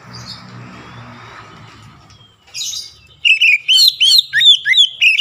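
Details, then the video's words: Oriental magpie-robin in full song, played to stir other magpie-robins and showing off its repertoire. Low humming background noise comes first, then a rough note, then a quick string of ringing whistled phrases, about three per second. "KICAUAN PEMANCING KACER LAIN LANGSUNG MEMANAS GACOR BONGKAR ISIAN"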